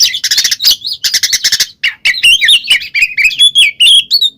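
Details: Oriental magpie-robin in ngeplong song, played to provoke a silent bird: fast rattling churrs at the start, then a run of clear slurred whistles rising and dipping.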